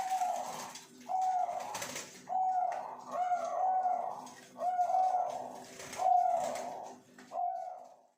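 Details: Breeding zebra doves kept in cages at a Pasuruan bird farm, with short mellow coo phrases repeated about once a second, each slightly trilled and level in pitch, against a steady low hum.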